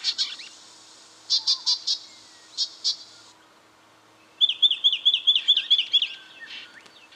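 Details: Brown treecreeper in Victoria, Australia, October 2011: short buzzy high bursts in quick clusters, then a rapid run of about ten sharp, clipped, downslurred notes at an even, fast pace.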